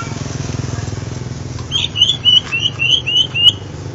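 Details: Greater green leafbird (Chloropsis sonnerati), a bird famed in singing contests for song variety: a quick string of about eight clear, slightly rising whistled notes after a pause, against steady low mechanical hum.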